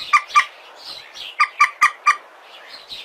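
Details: Common moorhen recorded on a mobile phone in Indonesia: short harsh nasal squawks, mostly in close pairs, about six in three seconds, with some fainter calls between them.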